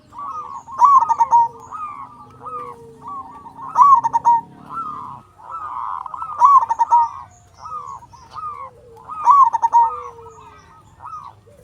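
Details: Indonesian local zebra dove with a big voice, singing steadily. Its song is used to coax quiet doves into singing. Clipped, staccato coo notes build into a ringing, slightly rising phrase, repeated roughly every three seconds, with soft background hum.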